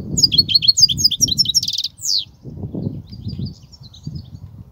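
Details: European goldfinch singing in the 'kobia' song style: rapid twittering notes and a quick buzzy trill in the first two seconds, then fainter scattered chirps, over constant low rumbling background noise.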